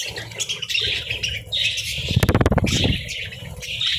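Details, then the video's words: Budgerigars sunbathing keep up busy, raspy warbling chatter, interrupted midway by a loud burst of rapid low flapping or rustling lasting about a second. "Sunbathing Budgies"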